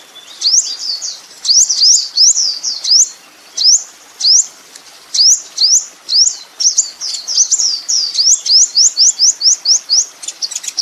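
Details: Song of a kolibri ninja sunbird used as training master for songbirds: crisp, high, rising and falling whistled notes given in short clusters, accelerating near the end into a quick string of upswept chips.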